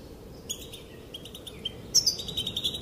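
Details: Female European goldfinch's calls, said to make males dance: a few scattered soft chirps, then a sudden loud burst of bright twittering trills running to the end.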